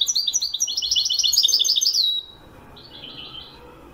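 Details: Moroccan Wedani goldfinch song: a dense, quick stream of bright twittering and tinkling notes for about two seconds, ending on a sustained thin whistle, followed by a softer, shorter twittered phrase.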